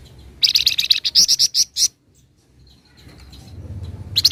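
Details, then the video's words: Rapid 'nyecret' chattering from a flamboyan: a dense run of high, buzzy notes ending abruptly, a quiet pause with a faint thin whistle, then a new rattling burst beginning. "Burung FLAMBOYAN GACOR Ngebren Rapat Full Nyecret"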